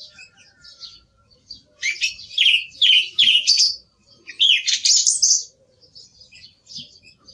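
A song thrush sings two bright, loud bursts of high, clear notes, each phrase repeated quickly, with softer twittering between them.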